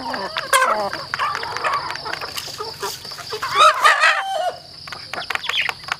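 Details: Chickens clucking as they eat on a farm, with bursts of harsh, buzzy squawks and quick repeated clucks from several birds, alongside pecking taps and a steady background hum.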